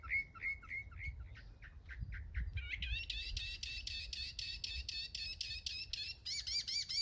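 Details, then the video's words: Singing mockingbird runs through phrases: a series of short repeated chirps that shift into buzzy scratchy notes, then a long string of rapid, bright, strongly repeated notes, about four per second. "Songs of a mockingbird."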